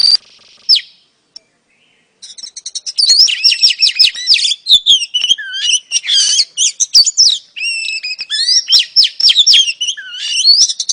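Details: Female oriental magpie-robin calling to draw in a male: after a couple of thin whistles and a short pause, a long, varied stream of sweet whistles, trills and scratchy chirps runs nearly without break.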